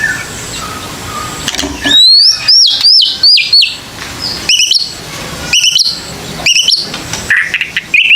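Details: White-rumped shama sounds used as a lure so young birds dare to sing: a quick series of high chirps sliding downward, then spaced clicky double notes and a short rising whistle, over faint hiss.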